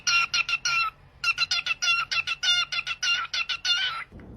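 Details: Pet parrot at home giving quick bursts of short, harmonic, nasal chirps, four or five per burst, repeated in rhythmic runs with a brief pause after the first second.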